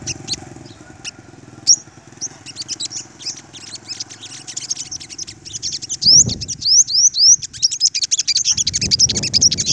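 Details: Olive-backed sunbird male singing while confronting rival dominant males, rapid high chirps and sharp rising whistled notes repeated in quick bursts, with a man talking excitedly and low rumbling noise in the background.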